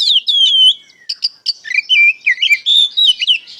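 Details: Oriental magpie-robin, kacer, in open 'ngeplong' song meant to provoke answers from young birds: descending clear whistles, then a lively run of varied warbled and whistled notes repeated several times a second.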